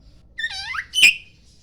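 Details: Morning song of a poci Oriental magpie-robin, a single rasping phrase of layered downward-curving notes followed by a loud, sharp, piercing chip, over a quiet background.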